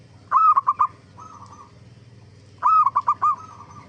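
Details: Actively singing zebra dove, recorded as a lure for other zebra doves to answer. Two mellow phrases about two and a half seconds apart, each a long slurred coo followed by rapid short notes, with gentle trills and a continuous low hum.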